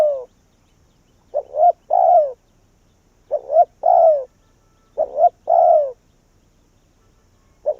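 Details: Decoy spotted dove drawing wild doves to its tree: a croo trailing off, then three phrases of a quick double coo and a drawn-out descending croo, with a final coo cut short.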